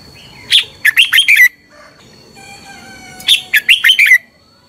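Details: Red-whiskered bulbul singing a fighting song for morning training: two matching phrases of five quick, rich warbled notes, separated by a quieter stretch with a faint steady whistle.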